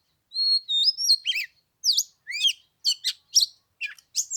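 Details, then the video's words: Song of an Oriental magpie-robin during Lunar New Year, third day, temperature 15 degrees, sung to provoke a rival: pure drawn-out whistles open, followed by a run of crisp downslurred notes and chips at steady intervals. "Chòe than mùng 3 tết cái lạnh 15 độ chơi 1 tiếng chim k xuống đánh"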